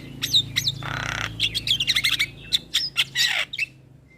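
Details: Starling song meant to coax silent starlings into singing: quick whistled slurs, a broad noisy hiss, then chattering clicks and whistles in a fast, mixed sequence over a faint low hum.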